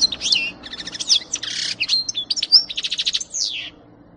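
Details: European goldfinch, 2018, giving a lively twittering song of rapid chirps, fast trills and a buzzy rasp, about three and a half seconds long, over a low constant hum.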